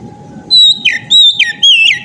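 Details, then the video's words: Oriental magpie-robin singing ngeplong style: three loud, pure whistled phrases, each a high held note dropping into a falling slur, separated by brief gaps, over soft low rumble and a steady hum. "kacer ngeplong gacor ngotot ampuh bikin kacer lain ikut bunyi gacor ngeplong"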